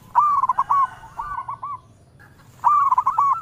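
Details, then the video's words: Local zebra dove singing in a sweet, melodious voice toward every direction: a loud rolling bubbling coo, a softer stuttered phrase after it, a brief pause, then another loud rippling phrase. "Perkutut Lokal gacor suara merdu memanggil Keseluruh Arah"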